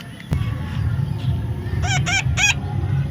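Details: Baby parrot calls three times in a rapid burst of grating, harmonic squawks after a sharp knock, while a person talks to it in the background.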